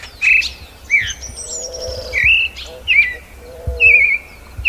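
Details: Creamy-bellied Thrush (Turdus amaurochalinus) in Brazil sings short, clear whistled phrases, some rising and some falling, spaced about a second apart, over a faint lower warble and soft background hiss.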